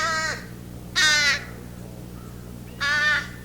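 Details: Two young American crows fly in and beg for food in spring with nasal versions of adult calls: three harsh, nasal caws about a second apart, rough and buzzy over a steady low hum.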